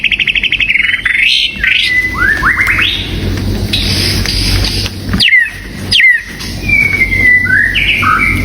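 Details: White-rumped shama song used to lure a mate: quick rising whistled trills, drawn-out clear whistles and slurred notes, heard over steady broadband background hiss and low rumble.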